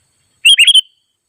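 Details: Wild sooty-headed bulbul (kutilang) calling rivals; a single quick phrase of four bubbly, slightly rising notes lasting under half a second, otherwise quiet.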